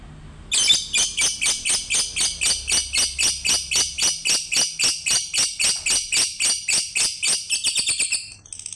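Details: Lovebird singing a steady, rapid series of shrill, high chirps, about four per second, evenly spaced, closing with a quicker, tighter flurry of notes before stopping.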